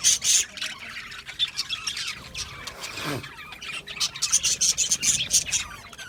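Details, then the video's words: Several budgerigars chirping together, rapid high twittering and short squeaks in bursts, with a brief lower swooping sound midway. "Cute Budgies chirping Sounds | Budgies relaxing Sounds | Budgies parrots Sounds"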